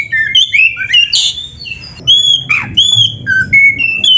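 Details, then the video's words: White-rumped shama song for training caged birds: varied clear whistles, some rising and some falling, mixed with harsher squawky notes, delivered in bursts separated by brief pauses. "MASTERAN KACER GACOR FULL ISIAN !! - Suara Burung Kacer yang cocok untuk LATIHAN"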